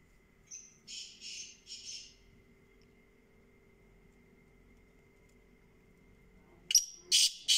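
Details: Black francolin (kala teetar) calling: three harsh, grating, buzzy notes in quick succession, a long quiet stretch with a steady faint tone, then a louder burst of rasping notes at the end.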